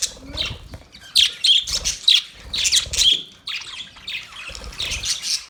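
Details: Pet budgies give clusters of bright, scratchy chirps in short bursts separated by brief pauses, with a few sharp squeaks standing out.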